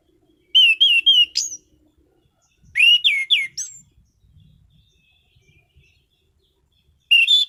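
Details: Orange-headed thrush in captivity, prized for strong singing, delivers loud bursts of rapid slurred whistles and sharp high notes, about a second each, separated by pauses with faint low rustling.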